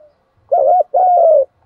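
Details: Spotted dove call used to train decoy birds: two loud low hooting coos, a short wavering one followed by a longer, slightly falling coo, about one second in all.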